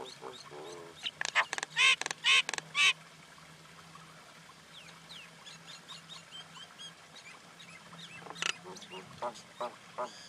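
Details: Common Indian myna producing a burst of loud grating squawks with gurgled notes in about three seconds, then quieter scattered chirps against a steady low hum.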